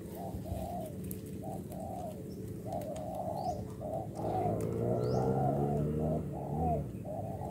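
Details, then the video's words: Wild-caught spotted dove used as a decoy gives soft coos in a repeated run of short notes about a third of a second apart, set against steady background noise and hiss, the notes fuller and richer in the second half. "GÁC CU GÁY .BỔI ĐỒNG PHA"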